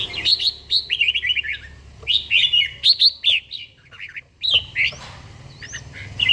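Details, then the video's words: A red-whiskered bulbul, an older forest-voiced bird in daily training, sings at dawn in Gia Lai: clear, looping whistled phrases, rising and falling, delivered in quick clusters with short pauses. "chàomào HÓT SÁNG, LUYỆN CHIM HÓT HẰNG NGÀY"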